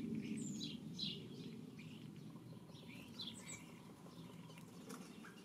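Mistle thrush giving short, dry, scratchy notes scattered through the clip, with some higher squeaky chirps, over a steady low rumble.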